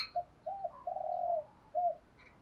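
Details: Spotted dove decoy coos meant to provoke fighting, heard faintly over a steady hiss: several soft, hollow hoots including one long level note, with a few higher chirpy sounds at the start and end.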